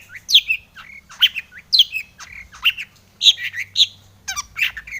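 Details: Long-tailed shrike song meant to provoke others to sing: loud harsh squeaky notes with slurred chirps, repeated roughly twice a second, over a faint steady hum.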